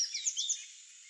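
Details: A Sayaca tanager (Thraupis sayaca), a wild bird visiting a backyard, gives a quick burst of thin, high, squeaky notes, three or four slurred chips run together in about half a second.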